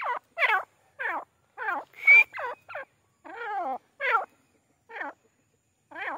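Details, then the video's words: Grey francolin repeatedly calling with coarse, harmonic, down-sweeping notes spaced irregularly about two seconds apart. One short shrill whistle cuts in midway. "Teetar ki boli | Teetar Voice | Grey francolin teetar sound"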